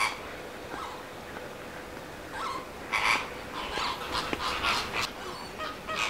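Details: Greater flamingos at WWT Martin Mere, Lancashire, giving harsh, honking calls in short noisy bursts, several close together around the middle, over steady background hiss and a faint hum.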